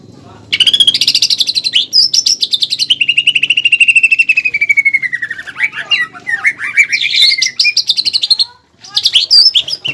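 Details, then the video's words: Greater green leafbird prompting song, pelatuk bawang fill, sung for training caged birds: a long rapid chattering trill that gradually descends in pitch, then a burst of varied squeaky notes over a low hum. "PANCINGAN DAN MASTERAN CUCAK IJO GACOR ISIAN MEWAH PELATUK BAWANG"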